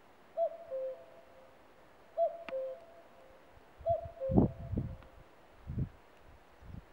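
A common cuckoo gives three clear two-note 'cu-coo' calls, the second note lower, about every two seconds, with low thumps and rumbles late on.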